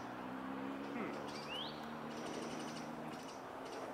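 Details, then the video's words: A male European greenfinch calls from a dead branch atop a holly tree beside the Long Water: a single quick rising whistled note with a few faint chirps over a steady low hum. "Greenfinch calling"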